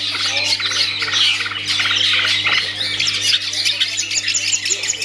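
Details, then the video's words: Kept long-tailed shrike in full song, a dense, harsh, chattering torrent of high twittering and rasping notes with scattered sharp squeaks, continuing throughout over a low mains hum. "Aksi Cendet"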